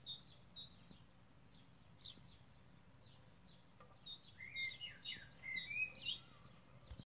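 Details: Blackbird song recorded 21 May 2020, with scattered short high notes that build into a squeaky, rapidly twittering phrase near the end, with a low steady hum beneath.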